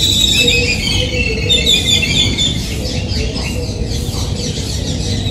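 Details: Yellow-billed babbler in Sri Lanka: shrill, squeaky high calls repeat rapidly and overlap in a noisy chatter, over a steady low rumbling background.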